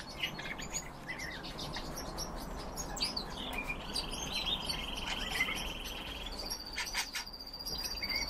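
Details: Captive red crossbills (Loxia curvirostra) give short, sharp chirping calls repeated irregularly, with a steady high buzzing trill in the middle and later, over a low background hum.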